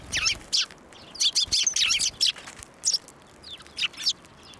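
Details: Sparrows at a Tenmangū shrine on 11 March 2024, flying onto a hand to be fed; quick rapid chirps and twittering bursts, busiest in the first two seconds, then scattered calls.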